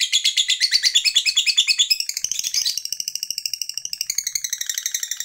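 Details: Fighter lovebird in a long ngekek chatter meant to rouse other lovebirds: fast buzzy high-pitched pulses, roughly three per second, with a brief change of tone midway before the rapid stream resumes.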